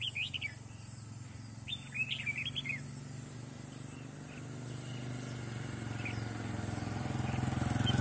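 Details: A wild-caught red-whiskered bulbul (Pycnonotus jocosus), moulting and fluffing out its feathers, sings two short, bubbly warbled phrases of quick rising and falling whistles over a steady low hum that grows louder toward the end.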